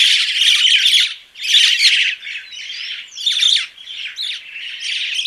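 A crested myna gives harsh, squawky bursts mixed with short whistles and chattering notes, in loud phrases about a second long separated by brief pauses.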